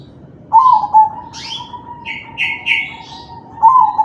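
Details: Crossbred zebra dove (perkutut crossing) singing in kalung tempuk style, used to prompt other doves to sing: a quavering low coo, then a long steady hum, a final coo phrase, and higher chirps from other birds in between.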